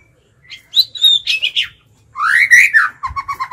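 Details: White-rumped shama kept as a decoy bird, singing in a forest-style voice to lure wild birds: scattered sharp whistles, then a long rising-falling whistled sweep ending in quick repeated stuttering notes.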